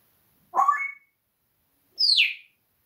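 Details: A pet parrot during a spell of swearing at the cat gives two loud, separate cries: a rising, twangy squawk, then a higher whistle that sweeps downward, with silence between.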